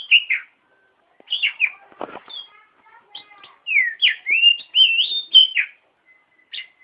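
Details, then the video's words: Oriental magpie-robin singing as a model for training other birds: clear, slurred whistles and rising-falling notes, with a brief scratchy rasp early on, then a dense run of bright whistled phrases. "Masteran Burung Kacer Di Jamin Top Cerr"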